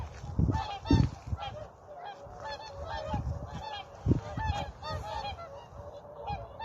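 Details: Whooper swans on Vandjala lake, Maardu, Estonia, 12 November 2023 at 7:45 before ice and cold, call together in loud, bugling, trumpet-like honks, overlapping roughly twice a second in an irregular chorus over low rumbling.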